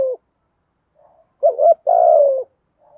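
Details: Spotted dove giving a thúc gù coo in the low, thunder-like thổ sấm voice: a short low coo, then two fuller, slightly falling hooted notes, the last drawn out, in an otherwise quiet setting.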